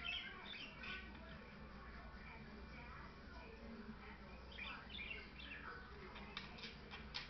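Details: Two pet parakeets, a white male and a blue female, chatter with short, scratchy chirps and squeaks scattered through the clip, over a steady low hum and possibly faint voices.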